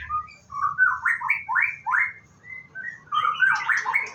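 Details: White-rumped shama at a bird farm, morning routine before bathing, singing a clear series of rising, slurred whistles, then a denser warbling run of quick high notes, in a quiet setting.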